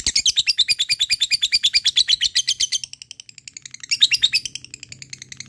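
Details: Fighter lovebird ngekek chattering to call a rival; a loud run of fast harsh notes fading after three seconds, then a short renewed burst and softer chirps.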